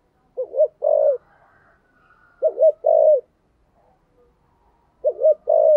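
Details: Spotted dove, 'thổ' voice, calling to lure as a decoy: three phrases, each a quavering double note followed by a longer rolling coo, spaced about two seconds apart with faint soft humming between.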